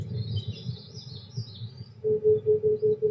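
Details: Oriental Cuckoo in the background on a cloudy 23°C day: after high warbling from another bird, a fast burst of six or so even, hollow low hoots ends the stretch over a low rumbling background.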